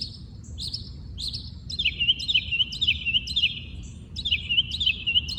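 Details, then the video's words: Early-morning song from birds in their natural habitat: a couple of high whistled notes, then a loud phrase of looping, warbled notes repeated roughly every half second, with a short break before it resumes. "Listen to the birds sing"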